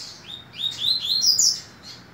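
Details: Coleiro, the double-collared seedeater, singing during the last ACPB tournament of the 2018 season: a quick phrase of sweet, slurred whistles climbing from mid to high pitch, loudest near the end, then fading.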